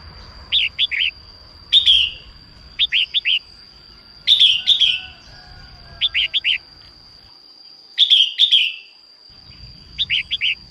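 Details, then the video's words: A female red-whiskered bulbul sings at dawn to rouse males into song. Triplets of crisp rising chirps trade off with longer buzzy, falling warbled phrases in a lively irregular rhythm. A steady electronic-like whine runs underneath. "Chim chào mào mái hót sáng kích bổi nhanh ra giọng"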